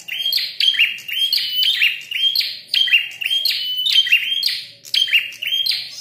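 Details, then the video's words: Red-headed prinia fighting and calling eagerly, delivering repeated bursts of shrill chirps and clear whistled notes, about one cluster each second, continuous throughout. "Prenjak tarung gacor | prenjak kepala merah"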